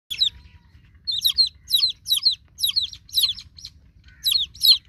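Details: Newborn chicken chicks calling for their broody mother hen: bursts of high, sharply falling peeps, several chicks overlapping, coming in clusters roughly every half second with short pauses between groups.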